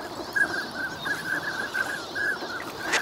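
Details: Migrant ducks wintering at Nagahama, Lake Inawashiro, Japan, recorded on a bright morning; a near-continuous string of short mid-pitched calls from several birds runs through the whole moment, ending with a sharp click.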